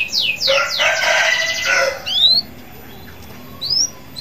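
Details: Local canary singing energetically, kept to stimulate other canaries to sing: rapid descending whistled trills and buzzy rolled phrases for two seconds, then brief rising whistled notes after a pause.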